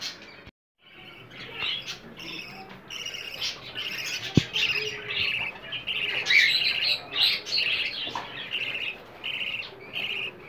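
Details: Budgerigar chicks asking for food, played to stimulate adult budgies to mate, lay eggs and raise more chicks: dense, raspy high chirps and squawks in rapid overlapping bursts, with a few short clicks and indoor room sound.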